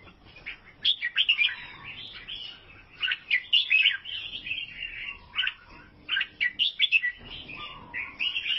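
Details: Vietnamese albino sooty-headed bulbul giving bursts of quick, sharp chirps and warbled trills, broken by short gaps, with a softer low whistle underneath at times.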